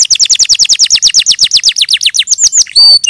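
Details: Canary trilling a steady series of falling whistled notes about eight per second, slowing toward the end, then a clear flat whistle.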